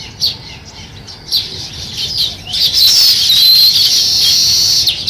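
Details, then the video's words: Sparrows start building a nest: a few isolated sharp chirps, then a swelling continuous high chatter with a thin whistled line through it. "Sparrow Chirping Sounds | Sparrow start to Build Nest"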